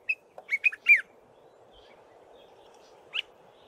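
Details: A common bulbul recorded early in the morning gives a quick burst of four or five bright, bubbly chirps, then one more short note a couple of seconds later over a faint steady hum.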